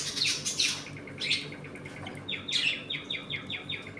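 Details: Budgerigars in a home flock while eating, playing and fighting: loud scratchy squawks, then a quick series of short, evenly spaced, downward-sliding chirps repeated about six times.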